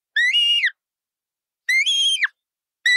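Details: Bright-coloured parrot uttering harsh, drawn-out squawks with a buzzy harmonic quality, the second ending in a downward slide, a third call beginning at the end; silence between calls.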